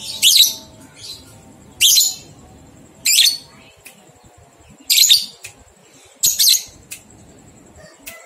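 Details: Lovebird ngekek song, a training track for two-month-old young birds: five loud, grating, high-pitched chatter bursts, each roughly half a second, spaced one to one and a half seconds apart, over a thin steady tone.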